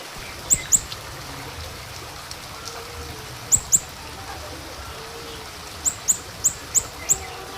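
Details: Scarlet minivet lure call used to attract the bird: very high, thin, short notes given in pairs, then a quicker series of four or five, set against a soft hiss of outdoor background noise.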